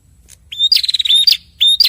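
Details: Red-headed prinia male and female answering: a loud whistled note swelling upward, then a dense fast trill of repeated buzzy notes and a sharp click. A new whistle starts at the end.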